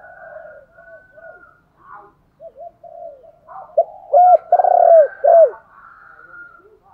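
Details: Spotted dove used as a decoy to rouse wild doves: soft scattered coos and a thin higher whistle build to a loud sequence of looping coos, one long quavering drawn-out note, then a last bent coo.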